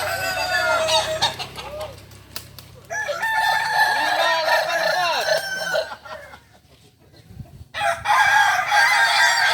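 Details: Kokok Balenggek roosters at a joint crowing practice in Ampang Kualo, Kota Solok, giving rapid, stacked, curving syllables. A loud overlapping chorus dips into a quieter stretch near seven seconds, then swells again.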